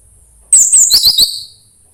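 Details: Orange-headed thrush song used to encourage singing: a brief burst of very high, thin whistles, the first ones sliding downward, ending in a short twittering phrase.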